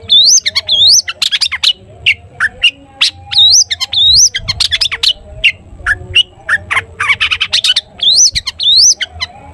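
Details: Long-tailed shrike delivering a full "toet toet" song used as a prompt for other shrikes: repeated rising whistles mixed with rapid sharp chattering notes in steady bursts throughout, over a faint low hum.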